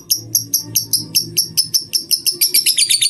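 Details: Lovebird singing in the ngetik (typing) style from a masteran tutor recording: sharp high chirps repeated about four times a second, speeding into a denser chatter at the end, over a faint low hum.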